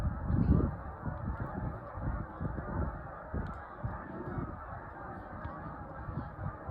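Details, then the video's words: Big groups of Canada geese calling high in the sky, dated 1/4/26; many honking voices overlap into a steady, busy clamour with a louder burst near the start and a low rumble beneath. "Large Groups Of Canadian Geese Flying High Up In The Sky And Making Noises"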